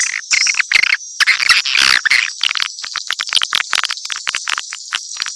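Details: Swiftlets calling in a mix, with squeaky chirps at varied pitch over a continuous high shimmering twitter and bursts of rapid clicks.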